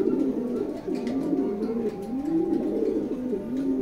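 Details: Racer pigeons cooing: low, throaty, wavering phrases that rise and fall in smooth arcs, repeated without pause.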